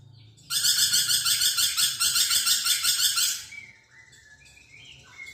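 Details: Lively lorikeet (nuri perkici) calling, used as a tutor recording for training magpie robins: a harsh, buzzy screech pulsing about three times a second for three seconds, then quieter twittering afterwards.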